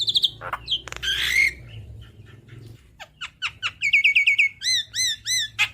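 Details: Javan myna in chatty song for tutoring cage birds: squeaky whistles and a harsh burst, then sparse chips building to rapid rising and falling whistled notes.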